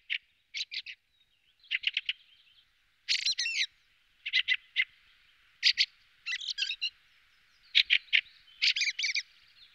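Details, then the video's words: A Fieldfare sings in short bursts of squeaky, chattering notes, roughly one burst per second, mixed with a few scratchy, warbled phrases, against a soft background hiss. "Birdsong Fieldfare Thrush"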